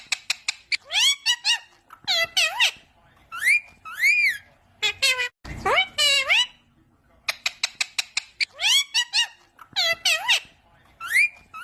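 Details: Continuous chatter from a talking parrot: quick strings of shrill, speech-like syllables and arched, whistled-sounding words, one lower drawn-out swoop near the middle, with only short breaks between phrases.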